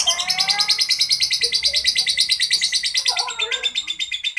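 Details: Lovebird giving a long, rough ngekek chatter: rapid, harsh, buzzy high notes repeated about three times per second without a break, with a few softer lower squeaks mixed in near the end.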